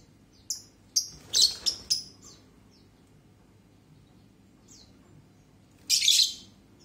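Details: Lovebird giving sharp, high shrieking chirps, a quick cluster of four or five in the first two seconds, a few faint squeaks after, then a harsh burst of chattering near the end over low background hum.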